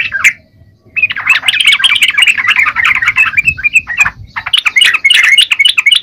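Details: Yellow-vented bulbul in full song: one short note, a pause of under a second, then a dense, fast run of chirpy, warbling notes that carries on to the end.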